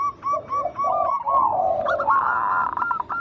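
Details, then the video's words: Local wild zebra dove singing as a lure for other doves: a series of rising and falling coo notes that run into a long, smooth, higher rolling phrase near the end. "Pancingan burung perkutut lokal alam gacor suara mengundang bunyi langsung emosi"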